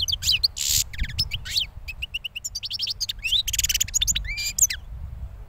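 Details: Recently moulted young European goldfinch, hatched the previous year, delivering lively song: rapid high twitters, sharp rising whistles and brief harsh buzzes in tumbling sequences, with faint low hum underneath.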